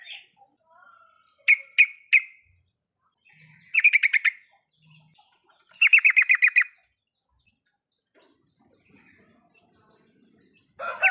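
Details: Trucukan, the yellow-vented bulbul, giving full riwikan song as a lure for birds that will not sing. Isolated sharp chips lead into two fast rattling runs of eight to ten bright notes with short silences between.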